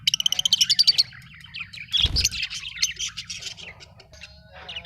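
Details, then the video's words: Pet Australian budgies give a quick burst of sharp chirps. A clattering knock follows, then busy, chattering warbles with twittering high notes that rise and fall. "Happy love birds chirping sound"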